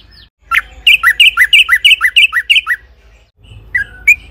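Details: Yellow-vented bulbul song for luring other bulbuls to sing: a tight, regular run of about ten sharp, downslurred notes, then quiet and two softer whistled notes at the end.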